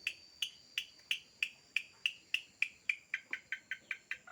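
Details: Bird with a very lively voice giving a fast, steady run of sharp high chip notes, about three per second, all at one pitch; the notes turn slightly lower and more rapid near the end, over faint background hiss.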